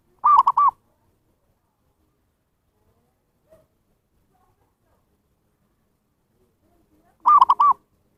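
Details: Zebra dove (perkutut) call played to lure wild birds: two short bursts of quick, rolling coos about seven seconds apart, each a tight cluster of rounded notes, with near silence between.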